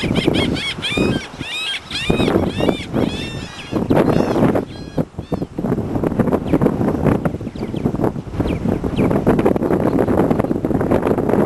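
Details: Several laughing gulls at Fairhope, Alabama give nasal, arching 'ha-ha-ha' notes in quick series, loudest early on, over constant rushing surf or wind noise.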